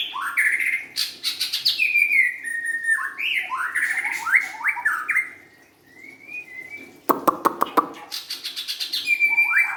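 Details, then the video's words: Singing young forest-caught white-rumped shama: quick chips, sliding whistles and looping warbled notes, a pause, then a sharp rapid rattle of clicks and a final clear whistled phrase. "kicauan murai batu"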